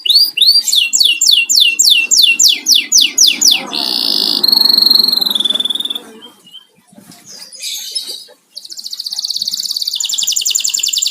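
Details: House-kept canary singing: a fast run of rising chirped notes, then buzzy rattling rolls and a bright high whistled note, followed by a rapid pulsing trill, with a soft low rumble beneath.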